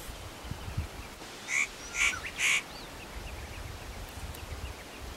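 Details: Spotted nutcracker at Matsunokizawa-no-kashira, Japan, calling while preening and unaware of the observer: three harsh, rasping calls about half a second apart, with quiet background hiss.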